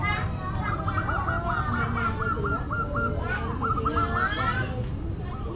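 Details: Actively singing local zebra dove, its voice described as classic and unique. A long run of quick, evenly spaced cooing notes rolls on for several seconds, then a shorter burst, over a noisy background of other birds.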